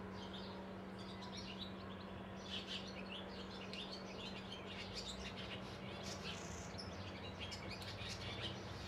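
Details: On 12 May, a Eurasian tree sparrow that has found a roomy hole to nest in gives rapid, sharp chirps in quick irregular bursts, over a steady low hum and background noise.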